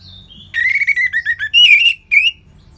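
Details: Orange-headed thrush, a caged bird in Singaraja, North Bali, singing a rapid run of rich whistled notes that slur gently downward, then a louder ringing phrase and a final short rising whistle.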